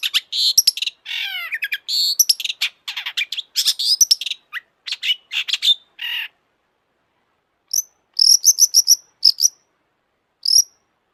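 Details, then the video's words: Long-tailed shrike singing continuously to provoke other shrikes: six seconds of rapid, varied chattering and whistled notes, then after a pause short bursts of repeated high clipped notes. "kicau burung cendet gacor FULL EMOSI,, untuk PANCINGAN CENDET AGAR BUNYI jadikan BURUNG PENTET GACOR"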